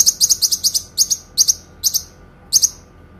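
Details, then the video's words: Clear Kinoi song for songbird training: rapid doubled high chips in quick succession, then slower paired notes spaced about half a second apart, all sharp and bright. "TEMBAKAN PANJANG, SUARA JERNIH BURUNG KINOI"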